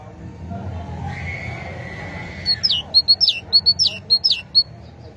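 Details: Great tit song begins after a steady, level whistle-like tone in the background, then comes as a quick, rhythmic series of high paired notes repeated around ten times over two seconds.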